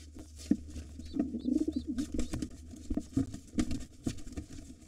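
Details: Low, throaty coos from wild pigeons as a white father defends his nest and two nestlings against a gray intruder. A wavering, rolling phrase is heard in the middle, with thumps and shuffling of the fight around it.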